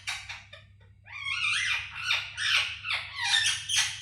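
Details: Pet parrot talking indoors: a string of raspy, speech-like syllables, several sliding downward in pitch, delivered in quick bursts over a low steady hum.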